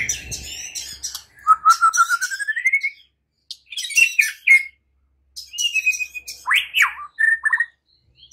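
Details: White-rumped shama in song, used to prompt other shamas to sing actively. A rising run of rapid notes, then bursts of whistles and sharp slurred phrases separated by short pauses.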